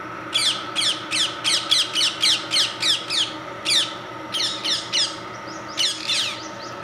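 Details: Shrieking parrots making their presence felt on the IRMA campus: a long run of harsh, grating squawks repeated about three times a second, pausing briefly, then resuming in ragged clusters, with a low constant hum behind.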